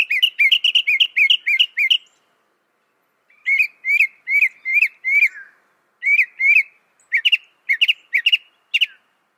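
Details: Northern mockingbird singing repeated series of slurred chirps, a fast run, then a slower spaced series after a pause, later a run of sharper upswept notes.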